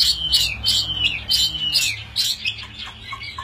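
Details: Chinese hwamei fighting bird displaying: very high, bright whistles broken by sharp, rasping bursts repeated about three times a second over a low background rumble.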